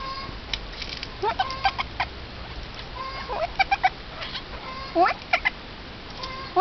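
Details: Eurasian jay with upward-swept nasal notes and sharp clicks, delivered in irregular clusters roughly every second, over a faint hiss.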